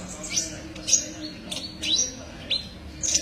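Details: Kolibri ninja sunbird used as a song tutor for other birds: sharp, very high tsip notes and brief rising whistles spaced roughly half a second apart, with low background noise.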